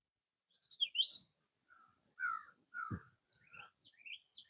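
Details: A wren sings in front of the observer at Back Bay National Wildlife Refuge, Virginia Beach, Virginia, early morning after night thunderstorms: short bursts of high, chirpy, slurred rising and falling notes, with brief pauses and one low thump.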